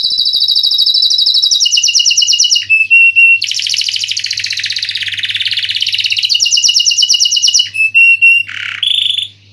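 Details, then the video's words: Canary singing an extended varied song: high rolling trills, a steady whistled tone, a broad buzzy warbling passage, more rolls, and a brief sharp downward note near the end, with a faint low hum. "Kenari Gacor Ngeroll Isian Masteran atau Pancingan Kenari Riwikan atau Kenari yang Macet Bunyi"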